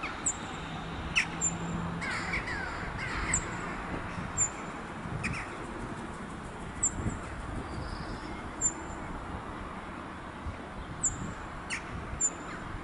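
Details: Cirl bunting recorded at the Château de Saumur, France, in a slight wind: a series of thin, very high, short calls spread over the recording, with scattered clicks and a faint low hum.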